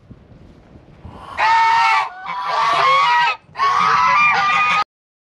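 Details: Flock-guarding domestic geese, which have chased off foxes and a raccoon, call in three or four loud, brassy honking bursts, each about half a second to a second long, voices overlapping, over a faint low rumble.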